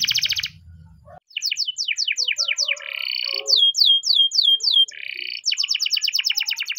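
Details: Spanish timbrado canary singing its morning training song: a brief trill, a short pause, then falling whistled notes alternating with buzzy rolled phrases and a closing fast rattle.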